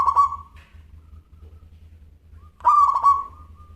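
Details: Local zebra dove singing actively, voice described as crystal: the end of one cooing phrase, a pause, then a full phrase of quick, staccato, ringing coos that tails into a long, even note, over a low hum.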